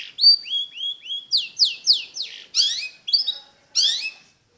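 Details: Long-tailed shrike singing a varied phrase of high whistled notes, some level and some sliding down, mixed with scratchy chattering bursts and brief pauses between notes.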